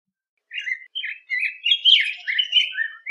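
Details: Continuous, flowing warble of a yellow grosbeak, a longer run of varied sweet whistled notes rising and falling without break, slightly echoing, with no other noise.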